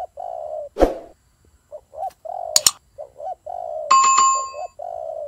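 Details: Turtle doves fighting: low hoarse coos, short hiccup notes alternating with longer drawn coos, broken by sharp clicks or knocks and a brief ringing metallic tone near the end.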